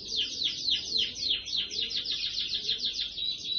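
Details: Canary with a number 25 leg ring, singing in the rasmi style with long 'kereta' (train-like) duration: a steady run of rapid, high, repeated trilled notes, about three to four per second, with no break.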